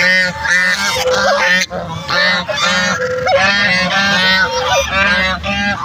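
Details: Several ducks calling other ducks with harsh, nasal honks that overlap densely, some notes bending upward, the chorus pausing briefly only a few times.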